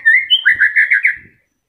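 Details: Moulting white-rumped shama keeps singing: a rising whistle flows into a quick warbled trill of about six pulses, fading out within a second and a half.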